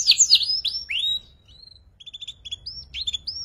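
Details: Young canary learning the ngeriwik song, kept as a lure for training other songbirds: loud sweeping whistled slurs at first, then softer clipped twitters and short level whistles repeated in small groups.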